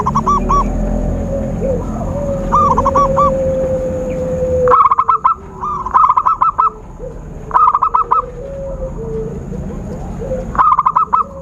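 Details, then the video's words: Zebra dove trapping lure sound: several bursts of rapid, rattling coos, growing louder after a quieter start, with a wavering sustained tone running underneath. "Suara Khusus PIKAT burung Perkutut/Merbuk Paling Jitu"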